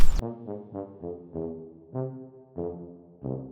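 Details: A short brass melody of separate swelling notes, trombone-like and low, played one after another with no animal voices.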